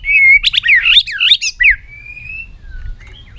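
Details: White-rumped shama singing a varied, long-string song while excited and tail-flicking. A rapid tumble of loud, swooping notes is followed by a long thin whistle and a few quiet notes.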